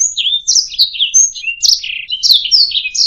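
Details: A canary sings in recording intended to train other birds to sing: long clear whistles mixed with downward slurs and buzzy trills, a bright sustained whistle in the middle, little background noise.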